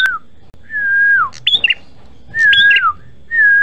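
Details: Red-headed prinia repeating a drawn-out whistle that drops at its end, then a high upward-leaping note with a brief warble, on a recording meant to lure other birds.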